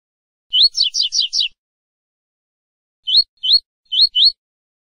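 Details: Caged-bird training recording of coleiro tui-tui fibra song from a double-collared seedeater: a rapid run of five downward-sweeping notes opens, followed after a gap by four clear upslurred whistles in pairs, otherwise silent.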